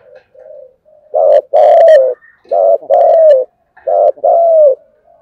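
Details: ['Spotted dove delivering continuous thúc gù cooing, loud low coos paired short then long, repeated about every second and a half, with a sharper click-like note mixed into one phrase.']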